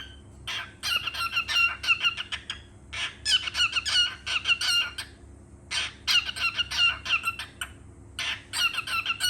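A cockatiel chatters in quick bursts of bright, warbling chirps, pausing briefly between each run.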